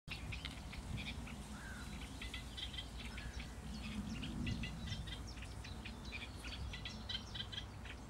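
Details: Eurasian reed warbler singing: a steady stream of scratchy, chattering notes, some with clicking or rasping quality, running without pause, partly masked by a strong low rumbling noise.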